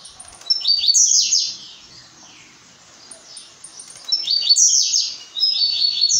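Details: Blue-black grassquit in brown plumage singing two short buzzy, sizzling phrases high in pitch, each about a second long, about three seconds apart, with quiet between.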